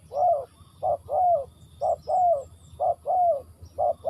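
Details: Spotted dove recorded in Ninh Thuận, Vietnam, cooing close and clear: a steady rhythm of brief soft notes and longer slurred, slightly falling hoots, repeated evenly, with faint distant bird twitters in the background.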